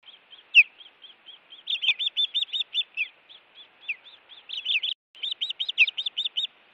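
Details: Defending its Montana nest against intruders on the evening of 16 June 2017, an osprey calls in long strings of whistled chirps that speed up and grow louder, punctuated by occasional sharp down-slurred notes.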